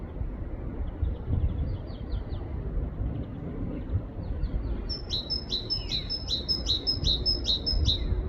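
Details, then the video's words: Great tit song in a UK forest: after faint high twittering from another bird, a loud run of rhythmic two-note phrases, high then dropping, repeated about eight times over low background rumble. "Great tit bird singing in the UK forest || great tit sounds"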